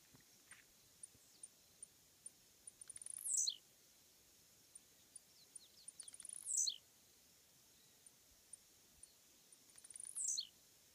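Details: Male blue-black grassquit near a roadside fence, wild; song given during breeding-season vertical leaps from a dry branch. Three high, thin, buzzy downslurred notes, each preceded by faint ticks, spaced about three seconds apart.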